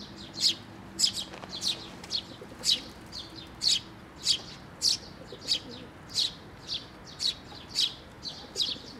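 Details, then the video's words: Fledgling sparrows among adults flying to a water bridge to be fed, Tenmangu shrine, 11 May 2024; a steady run of loud, high, clipped chirps, nearly two per second, some doubled, over soft low rumble. "水上橋に 餌を貰いに飛んで来る雀達、巣立ち雛鳥"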